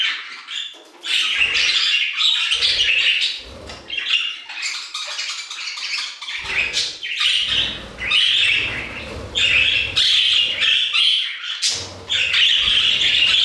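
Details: Flock of budgerigars singing in an aviary: overlapping squawks, clicks and warbled chirps form a steady chattering chorus, punctuated by low bumps of movement.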